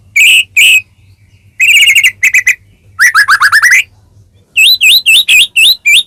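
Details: White-rumped shama singing as a lure for caged murai batu, ngeplong style: two ringing whistles, a buzzy trill with quick chips, a rapid rising chatter, then a regular series of looping upslurred whistles.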